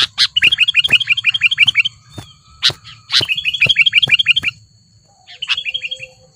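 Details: Wild sooty-headed bulbul, worked up against a rival in the city of Lubuklinggau: rapid runs of evenly repeated bright notes broken by sharp clicks, with a low hum beneath and a short final run.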